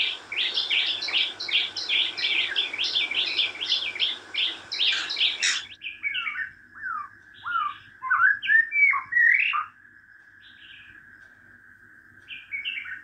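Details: Wild White-rumped shama song: a dense burst of rapid, rich high warbles for about five seconds, then slower separated whistled notes and slurs over a steady faint tone, fading to near silence.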